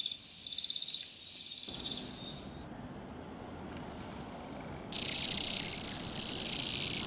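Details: Waxwings eating rowan berries on a grey December day in a roadside yard, Pushkin, Russia; two clear high trills open, then broadband noise, then a louder overlapping chorus of high trilled calls.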